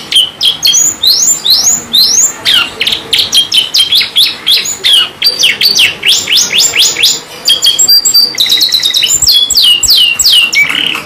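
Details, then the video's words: Kenari gacor song from a canary, rolling and shooting: lively volleys of rising whistles and sharp chip notes in rapid clusters, with brief pauses, ending in a soft warble. "KENARI GACOR NGEROL NEMBAK | CANARY SINGING"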